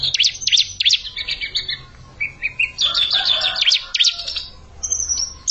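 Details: Young bar-winged prinia in a singing challenge against an established bird, producing bursts of sharp, high, slurred chirps and short twittering runs with brief pauses between phrases.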